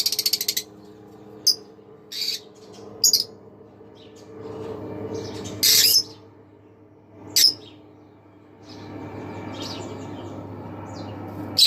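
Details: A green Fischer's lovebird pair singing and chirping: sharp, harsh squawks and short chirps scattered irregularly every second or two, with a steady low indoor hum behind.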